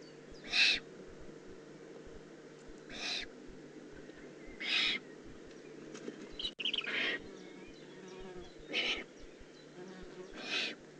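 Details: Eurasian eagle-owl juvenile recorded in the Eifel on 18 June 2016, six raspy hissing bursts spaced roughly two seconds apart, airy and rough, with a brief click midway and constant low hum beneath.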